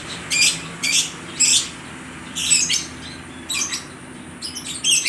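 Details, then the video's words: Caged lovebirds for sale at a bird market in Aceh Tamiang, Indonesia, calling back and forth: harsh, high squawky bursts repeated about once a second, with short gaps between them, then quicker overlapping chatter near the end. "(Burung love bird) saling nyaut menyaut sangat gacor"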